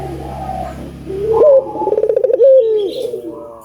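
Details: Albino collared dove calling tirelessly, for use in prompting doves to call. A rising note leads into a rapid beating trill and then a flat note that drops at its end, over a faint steady hum.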